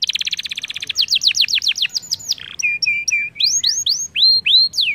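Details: Canary lure song used to stimulate other canaries, with a rapid rattle, a cascade of downward whistled sweeps, a short buzz, then repeated rising upslurred notes.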